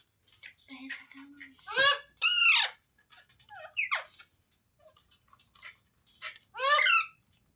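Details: Parrot giving several loud, ringing harmonic squawks, some downward-sweeping, with quieter chatter, a low hum and faint clicks in between.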